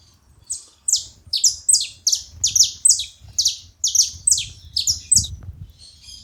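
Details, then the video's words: At a bait feeding spot, a saffron finch delivers a steady series of loud, high, down-slurred chirps, about two per second, paired and evenly paced throughout, over a faint low rumble. "Canário da terra fazendo barulho na seva"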